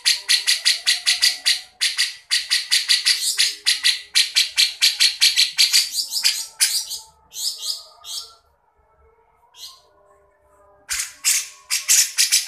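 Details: Javan black-headed bulbul singing in a fast, energetic burst used as a training song for other cage birds: rapid high scratchy notes repeated almost three per second, a quieter pause, then the bursts resume.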